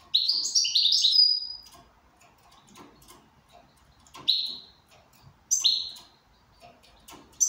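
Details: Goldfinch in good condition, indoors, giving a fast tinkling twitter followed by lone high chirps at irregular intervals, amid light clicking and room noise.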